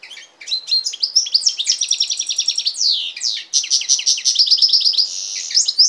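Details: Song of a European goldfinch crossed with a canary: a continuous run of high twittering notes, rapid trilled passages and sweeping, slurred whistles, delivered without pause.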